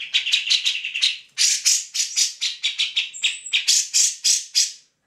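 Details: Grey-cheeked bulbul in lively song meant to tutor other songbirds: rapid grating chatter, then a short high whistle slipped between harsh rhythmic notes.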